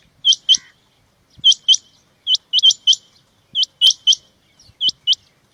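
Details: Rain quail (Coturnix coromandelica) calling sharp, high, metallic double notes, 'which-which', in bursts about a second apart, with faint low thumps beneath; a call recording for quail hunting.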